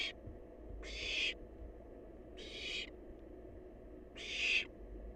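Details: Barn owl nestling, wild, eating leftover prey in its nest: three rasping, breathy hisses, each under a second, spaced about 1.5 seconds apart over a low background rumble.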